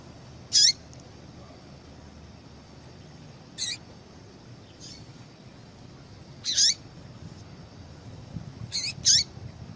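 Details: Calls of a female yellow-bellied seedeater, meant to excite a male to sing: four brief, high, piercing chips with downslurred ends, spaced irregularly, the last two close together, against faint background hum.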